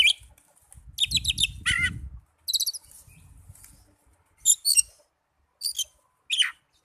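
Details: Song of an Oriental magpie-robin, played as therapy to get young or silent birds singing: short bursts of sharp, high chirps and stacked notes with gaps between, with low rumbling at the start.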